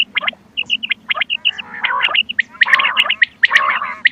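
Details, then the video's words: Quail calls used as a lure for hunting: dense, overlapping chirps and squawky bursts with short, high notes in pairs and triplets, against a steady low hum. "بٹیر کی آواز شکار کیلئے quail bird sounds for hunting bater ki awaaz"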